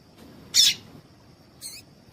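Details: A female Double-collared Seedeater calls to excite a male. One loud, rough, high chip is followed about a second later by a softer, cleaner note with rippling tones.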